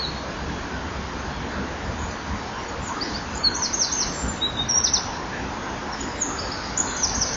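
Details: High, quick rattling phrases from a Eurasian wren that sang for a while in a hole in a nesting wall one October evening in 2011, fainter, broken trills set against constant low rushing noise.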